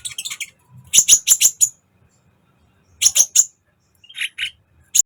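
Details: Sunbird singing energetically, from a recording meant for training songbirds: short bursts of rapid, piercing high chips in clusters of three to five, separated by brief pauses, with a lower twittering pair near the end.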